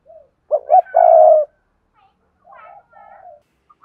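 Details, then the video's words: Decoy spotted dove singing to draw in wild doves: one strong phrase of two quick clipped notes and a drawn-out throaty coo, then quieter soft coos trailing after a pause. "tiếng cu mồi thúc bổi và gáy gọi hay// Tiếng cu gáy mồi chuẩn kích bổi nhanh nổi"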